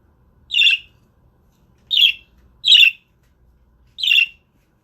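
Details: Male budgerigar guarding the eggs, keeping others away: harsh scratchy squawks centred high, four bursts spaced one to two seconds apart in a quiet indoor room.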